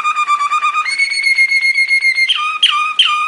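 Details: Belgian Waterslager (Malinois) song canary training song: a sustained whistled tone near the low-middle range, stepping up to a higher held note, then short rising-falling slurred notes.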